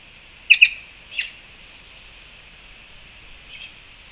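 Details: At a Panama fruit feeder, black-chested jays give two sharp clipped notes followed by a softer single note, then faint chatter, against a constant high droning hiss; recorded March 2, 2021.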